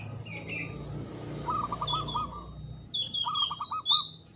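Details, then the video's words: Local Javanese zebra dove with a loud, big, long-breathed voice, used as a lure to get silent doves singing. Faint rolling low cooing phrases of quick repeated notes, with higher thin chirps from other birds and low background hum. "Pancingan Ampuh Pendongkrak Perkutut Bisu🔇 Malas Bunyi🔊 Bikin Rame"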